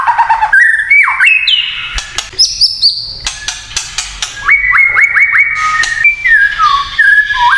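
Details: White-rumped shama in kretekan style, stirring up other shamas. Clear whistles jump between low and very high pitches, scattered with dry clicks, then a run of repeated upswept notes and a falling whistle.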